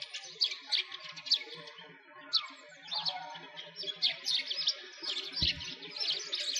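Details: Sparrows in winter by a frozen lake in Bratislavsky Park, Moscow, Russia: dense overlapping chirps and short high tweets in quick bursts, several birds calling at once, with faint low rumble and a brief thump.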